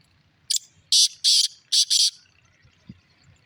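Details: A single click, then four loud grating bursts in a quick, uneven rhythm from a black francolin, with faint low rustling behind.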